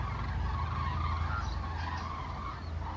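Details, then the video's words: Common cranes flying over Toppila give overlapping, drawn-out trumpeting calls that run almost without pause through the clip, over a heavy low rumbling background. "Kurkia Toppilan yllä"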